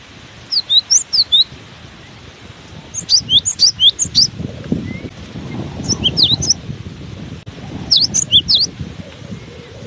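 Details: Cinereous tit keeps up its song in strong wind: four phrases of rapid, high, sharply slurred whistled notes, each a few notes long, over a persistent wind rumble.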